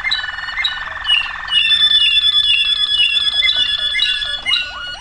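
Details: Waterslager canary in 2009 song, opening with a fast rattling roll, then sustained high whistles with fluttering water notes and quick rising slurred calls at the end.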